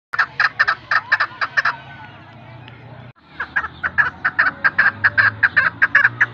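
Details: Female chukar partridge (Alectoris chukar) call: rapid series of harsh, clucking chuk notes, about two or three per second, with a short pause midway and a low hum behind.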